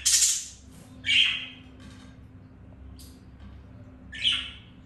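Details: Budgerigars during mating; three loud harsh squawks separated by pauses, with softer faint chirps between them and a low electrical hum.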